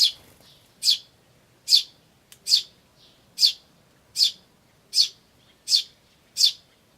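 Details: Tree sparrow chick chirping "chi chi" amid adult sparrows, 10 May 2013: a clean series of nine bright, high chirps evenly repeated about every 0.8 seconds in near silence.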